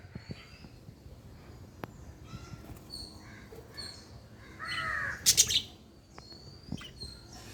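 Lovebirds trade shrill, squeaky chirps and short whistles at a rapid, uneven pace, peaking in a harsh, raspy burst of chatter near the end.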